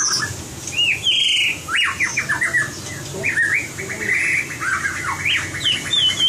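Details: White-rumped shama practicing competition song: lively, varied whistled phrases with looping up-and-down slurs and quick note runs, ending in high whistles, with a faint low hum throughout.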